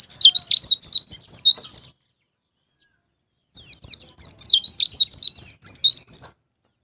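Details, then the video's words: Prompting song of a white-eye for caged birds: two strings of lively, high, rapidly repeated downslurred whistles, the second longer, with a quiet pause between them. "PANCINGAN BURUNG PLECI NGALAS NGEPLONG"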